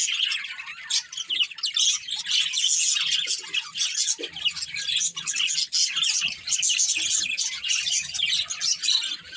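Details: Several domestic budgerigars chirping together, a constant rapid warble of high scratchy notes and thin whistles, with faint low knocks in the background.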